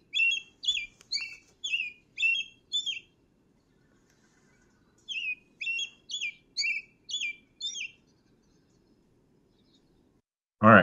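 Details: American robin song, described by the mnemonic "cheerily, cheer up" with swooping-up notes: two runs of five clear whistled notes, roughly two per second, over a faint low hum, ending with a sudden loud thump.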